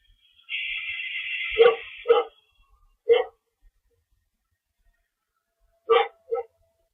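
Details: After chasing a mystery owl, an owl screeches from its lookout past midnight, 24 March 2012: a rasping, noisy screech held about one and a half seconds, followed by scattered short, loud barking calls in pairs and singles.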